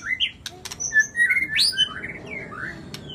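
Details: White-rumped shama singing energetically, mixing short clear whistles with rising slurred notes and a few sharp clicks, the phrases tumbling quickly one after another.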